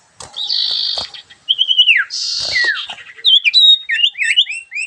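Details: Sooty-headed bulbul in lively 'dor ngentrok' song: alternating harsh buzzy bursts and slurred falling whistles, ending in a quick jumble of short twisting notes.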